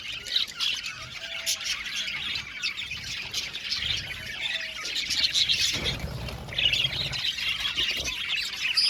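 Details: Many budgerigars in an aviary keep up a dense twittering and squawking chorus, briefly broken by a low rumbling noise midway before the chatter resumes.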